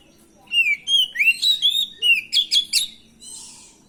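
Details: Oriental magpie-robin (kacer), a stressed bird in training, singing as a lure to provoke a reply: a quick run of about ten sharp, clear whistled notes, some slurred up or down, ending in a softer buzzy note.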